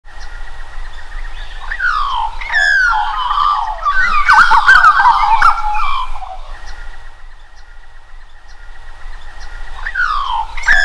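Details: Australian magpie singing together with a butcherbird, mixed warbling and chortling phrases with quick rising and falling swoops, loudest in the middle, over a steady tonal drone and low wind rumble.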